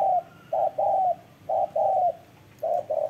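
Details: Spotted dove cooing hard: low, hollow coos in pairs, each a short note followed by a longer level one, repeated about once a second against faint background hiss.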